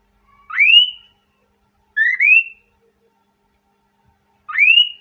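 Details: An aroused male cockatiel wanting to mate, with a hesitant female, gives clear rising whistles repeated in a courtship song.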